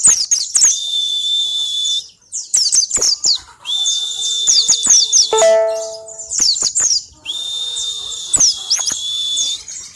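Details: Pleci (white-eye) of the ngalas type singing as a lure to get birds singing fast: repeated phrases of squeaky, tumbling high twitters laid over sustained thin whistles, plus a brief ringing chime-like tone partway through.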